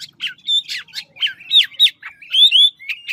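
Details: Ngũ trường Chinese hwamei from Lạng Sơn, a large bird in supple song: a brisk string of short clear whistles, some rising, some falling, with bright slurred notes.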